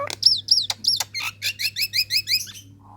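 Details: Female Nias hill myna calling to males: a burst of loud, clear whistled notes, first sweeping slurs, then a fast run of rising-falling chirps, over a steady low electrical hum.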